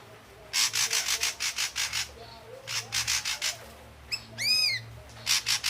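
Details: Ashy drongo song: bursts of harsh, rasping broadband notes in quick rhythmic series, then a ringing arched, harmonic-rich note and a final scratchy burst; quiet background.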